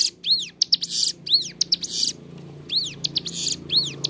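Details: Persistent ciblek gunung (bar-winged prinia) song for tutoring captive birds: looping arched whistles and grating buzzy rattles, about one per second, over a faint low hum.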